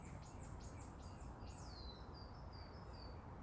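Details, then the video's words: Birdsong on a quiet morning heard from a cabin: thin, very high arched whistles given four times in a row, then longer falling and level notes, all over a steady low rumble. "고즈넉한 아침 풍경 새소리 들어보세요"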